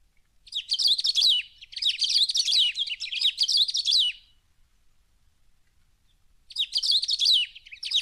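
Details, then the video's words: Bird of the Brazilian Cerrado singing high, tinkling twitters in rapid run-together bursts. Three close bursts are followed by a pause of roughly two seconds, then a fresh burst starts. "CANTO de AVES do CERRADO BRASILEIRO"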